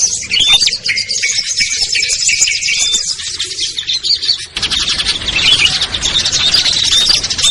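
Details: Chorus of small birds for luring hard-to-catch species like ciblek, kutilang, trucuk, sogon and perenjak down: shrill chattering and whistled notes, then an abrupt change midway into a louder, denser wall of high twittering.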